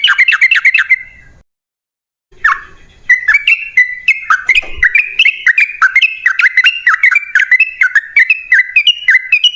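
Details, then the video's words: Sooty-headed bulbul song used as a lure to make caged birds sing: loud bubbling whistled phrases, a short pause near two seconds, then rapid repeated clear notes rising and falling continuously to the end. "Pancingan Trucukan PALING AMPUH! Burung Langsung Ngalas & Nyaut Gacor"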